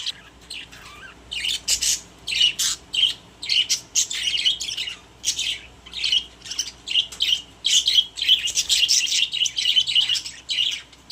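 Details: Caged budgerigars in a group chatter continuously: rapid high chirps, scratchy squawks and warbled notes come in clustered bursts roughly every half second, with brief quiet gaps.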